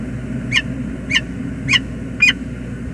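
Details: Wild male peregrine falcon calling on arrival at dawn, James River Bridge, USA, 19 November 2021: four harsh, slightly rising notes about every half second, the last ones sharper, with continuous low background noise.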